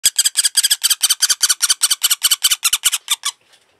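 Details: A woodpecker found beside a small ditch, filthy and stinking, being showered indoors to air its skin, gives a rapid series of harsh, high, squeaky notes, about five per second, fading after three seconds in a small indoor room.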